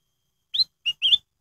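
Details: Lure song of a black-headed bulbul meant to make kept birds start singing: a single quick three-note phrase of a bright rising whistle, a clipped lower note and a longer wavering whistle, with no other sound.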